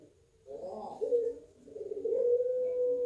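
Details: Caged pelung-type puter dove at a bird farm in Banyuwangi, Indonesia, noted for its thick "kwok" coo: a soft rough onset, then low hollow tonal coos ending in one long, steady, drawn-out note. Quiet indoor background.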